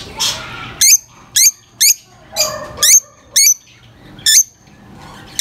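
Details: Single piercing chirps from lovebirds, spaced about half a second apart, with a softer rustling squeal at the start and a faint low hum beneath.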